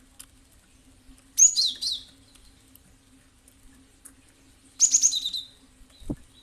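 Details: Cinereous tit used as a response lure: two bursts of fast, high, chirping notes about three seconds apart, the second ending in a short level whistle, then a low thump near the end and a faint hum throughout.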